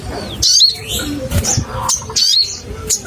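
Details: Crimson sunbird in a recording meant to provoke caged birds: scattered sharp, high, squeaky notes, some dropping in pitch, given in short separate bursts over light background rustling.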